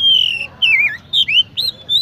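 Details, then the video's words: Oriental magpie-robin (kacer) in lively song: four clear whistled phrases about half a second apart, each bending and sliding in pitch, some dropping and some rising, in a quiet setting with a faint low hum. "chirping sound magpie Robin"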